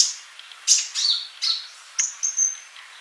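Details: Sunbird tutor recording for active singing: a short series of high chirps and scratchy notes, then a thin, level whistle held briefly near the end.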